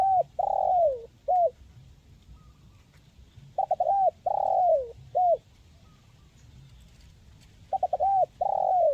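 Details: Local tekukur, spotted dove, recorded as therapy to get quiet birds singing: three repeated phrases roughly every four seconds, each stuttered notes, a long descending coo and a short final hoot, low background rumble.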